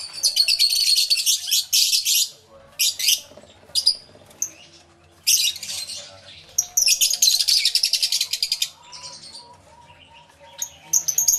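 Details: Aviary lovebirds erupt in loud, scratchy chirp bursts separated by quiet gaps, over a low, steady wavering tone.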